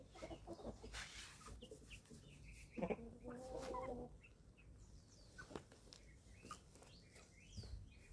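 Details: Eleven-week-old chicks feeding on a family farm in Germany; scattered clucks and chirps, then a louder drawn-out harmonic call lasting about a second near the middle, over steady rustling and pecking.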